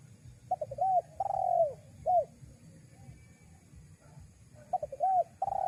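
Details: Luring call of a spotted dove, meant to bring wild doves in: quick clipped notes run into a long sliding coo and a short closing coo, then the phrase starts again, over faint background hum.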